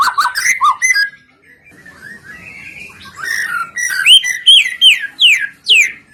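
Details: Singing white-rumped shama used as a lure to set other birds singing: mixed whistles and warbles, then a run of bright, sharply down-slurred notes repeated several times in quick succession.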